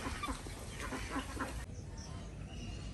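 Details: Desi ducks on a village farm in Andhra Pradesh, heard during morning egg collecting: short, nasal, harmonic quacks, about four in the first second and a half, then only low background noise.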